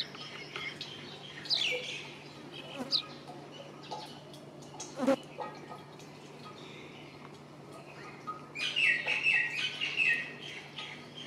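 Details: Brown rock chat (Oenanthe fusca), call.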